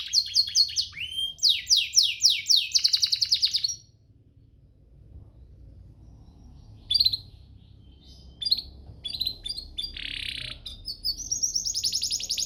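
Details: A canary's training master song: a loud run of rapid descending trills, then about three seconds of near silence, followed by scattered short chirps, a buzzy burst and a final steady high trill.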